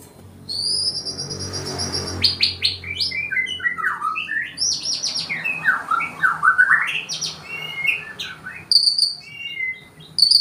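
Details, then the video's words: Forest white-rumped shama courting a female in Indonesia. It sings a rich, varied song of high whistles, rapid descending slurs and twittering runs, with brief pauses between phrases. "MURAI BATU HUTAN MERAYU BETINA"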